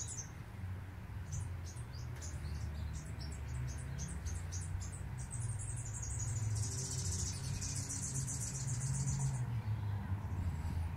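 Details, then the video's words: A superb fairywren (blue wren) in Australia, singing in the morning: a very high, rapid reeling trill of tinkling notes lasting about eight seconds, over a steady low rumble of traffic. "Tiny Blue Wren"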